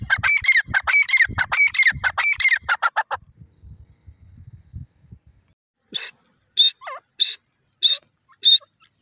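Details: Grey francolin giving a three-second burst of harsh, ringing repeated notes, then near silence, followed by a few sharper, higher-pitched notes spaced apart.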